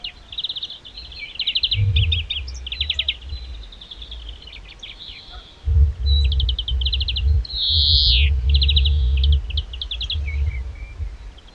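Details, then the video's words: Wild European greenfinch singing: rapid twittering trills in repeated bursts, broken by a long, drawn-out buzzy wheeze that slides downward, over steady low rumbling background noise. "Greenfinch song"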